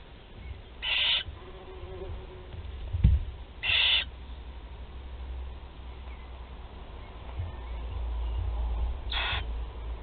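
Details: Nest of four young barn owls in Théding during a feeding on 16 July 2020: three harsh, snoring hisses spaced a few seconds apart, a soft thud near three seconds, low constant hum beneath.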